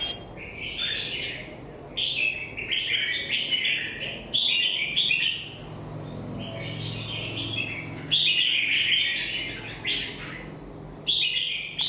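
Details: Lively red-whiskered bulbul singing: clusters of rolling, slurred whistled notes in repeated phrases with short pauses, plus a faint low hum in the middle stretch.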